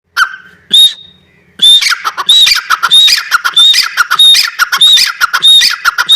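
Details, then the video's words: Grey francolin, known locally as Dakhni teetar, calling: after two brief opening notes, harsh loud phrases with a ringing high whistle start repeating rapidly and almost continuously, about every half second to second. "Dakhni Teetar: Voice of teetar | How to play teetar | The Sound of teetar | teetar ki awaaz| teetar"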